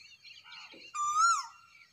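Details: A cuckoo at morning sunrise gives one loud, clear whistled note that rises slightly then falls away, with fainter, softer notes just before it.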